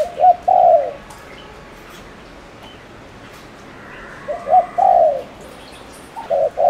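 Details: Spotted dove used as a lure bird in Ninh Thuận, Vietnam, cooing fast to provoke males: a low, mellow three-part coo, two short notes then a longer falling one, repeated after a pause of about three seconds.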